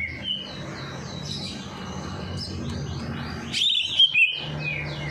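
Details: Bird freshly bathed at night, singing to encourage lazy birds: soft whistled notes over a low hum, ending in a few loud, sharp chirps.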